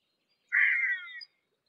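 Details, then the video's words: Harris's hawk, a raptor of sparse woodland and semi-desert, gives one short, raspy screech under a second long that sags slightly in pitch at the end, with a quiet background. "Harris's Hawk Call - Harris's Hawk Sound - Harris's Hawk Song - Harris's Hawk Scream - Screech-Voice"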